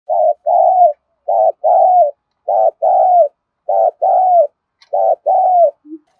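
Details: Spotted dove cooing in the 'thúc gù' style mixed with crowing, used to train decoy birds. Low, mellow coos come in pairs, a short note followed by a longer, drawn-out note that falls at the end. The pairs repeat steadily about every 1.2 seconds, with a faint click near the end.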